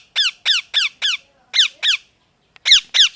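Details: A parrot repeats short, shrill, downward-sweeping squawks about four times a second, in rapid bursts with brief pauses, loud and harmonic-rich with no other clear sounds.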